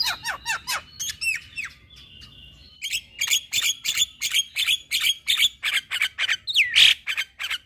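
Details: A caged Javan myna sings as a prompt for stressed or silent mynas: falling whistled slurs and a drawn-out whistle, then a rapid, even chatter of harsh squeaky notes, roughly three per second.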